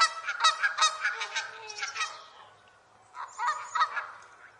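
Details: Farm geese honk in a loud, nasal series of harsh calls, about two or three a second, pausing briefly before another burst.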